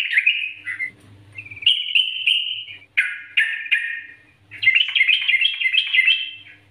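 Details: Prolific 'nggaruda' master song of a yellow-vented bulbul, a lure for other bulbuls: a warbled phrase, a steady chattering run, a cluster of sharp chirps, then a lively bouncing warble.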